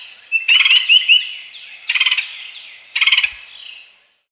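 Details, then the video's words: Woodpecker calling: three short bursts of rapid, rattling pulses about 1.2 seconds apart, linked by thin, high, repeated downslurred whistled notes, in a clean recording with no other sounds. "Woodpecker Sound"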